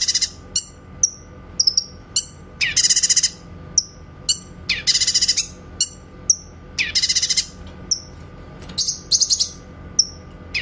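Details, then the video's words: A grey-cheeked bulbul delivers its clear 'tembakan' song for training white-rumped shamas: three loud, harsh, rapid rattling bursts separated by crisp high whistles and downslurred chips, repeated over ten seconds. "MASTERAN BURUNG CUCAK KINOY SUARA TEMBAKAN JERNIH"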